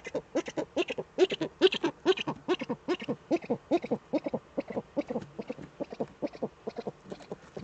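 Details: Eurasian eagle-owls, both birds back in the Eifel, Germany, at 18:47 on 11 March 2013: a fast, chattering run of short harmonic notes, about two per second, uneven in loudness, with some higher hissy bursts.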